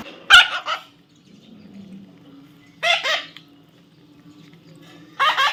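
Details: A baby parrot being tamed gives three hoarse, grating squawks roughly two and a half seconds apart. Faint murmuring and a low hum fill the quiet gaps.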